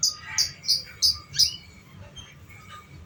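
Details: Canary lure song for training young canaries: a fast run of four or five high, sharp notes about three per second, then quieter thin whistles trailing off.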